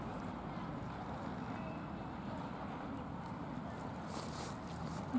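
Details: Steady wind rush and microphone buffeting outdoors, a soft hiss throughout with a brief gust swelling near the end, and no animal voice.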